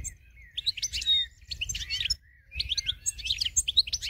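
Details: Goldfinch singing as a winning bird used to train others, a dense jumble of high twitters, buzzy slurs and clicks in two rushing phrases separated by a brief lull, with faint low rumble beneath.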